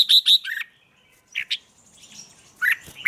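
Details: Red-whiskered bulbul 'ché' song for morning training: two clear, high, upslurred whistles, a buzzy note, then scattered short slurred chirps with a rising whistle at the end.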